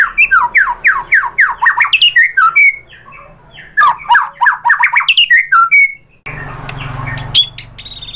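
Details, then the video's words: White-rumped shama song used as a lure for other shamas, made of fast descending chattering notes in bursts, a few slurred whistles, and a noisier final section after a splice. "pancingan AMPUH ‼️ MURAI BATU manapun jadi NYAUT ikut GACOR"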